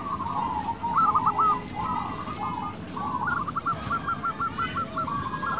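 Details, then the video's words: Local zebra dove singing, used to lure other doves to answer. Soft trilled coos in short phrases, ending in a rapid even series of stuttering notes, over steady background noise. "Perkutut lokal gacor suara cocok untuk pancingan pasti bikin lawan cepat nyaut."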